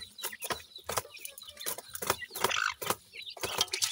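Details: Feeding Sindhi grey francolin chicks: short, high peeps interrupted by loud repeated tapping and pecking clicks about every half second, with scrabbling noise underneath.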